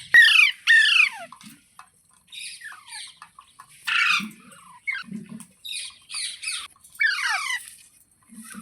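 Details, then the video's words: Pet parrot, filmed as talking, giving a string of harsh, hoarse squawks that sweep downward in pitch, in uneven bursts roughly every second, with softer scratchy chatter and short clicks in between. "Parrot Talking Sounds Videos | Parrot Voice |Parrot Ki Awaaz"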